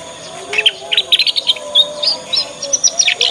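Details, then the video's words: Young (paud) Yorkshire canary learning its song gives a rapid run of bright "ngriwik" chirps and short trills, high-pitched and nearly continuous, over a faint steady hum; used as a lure recording for other canaries. "Kenari Manapun Pasti Nyaut dengan pancingan masteran kenari paud ini buktikan canaries"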